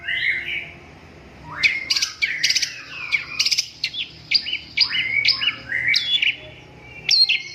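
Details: Long-tailed shrike singing: a soft opening note, then a lively run of sharp chirps, quick stutters and rising and falling whistled notes, richly varied.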